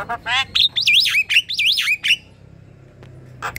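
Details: Javan myna kept in a group cage, singing to draw out quiet birds: harsh notes lead into a run of looping, warbled whistles rising and falling, then a pause with faint clicks.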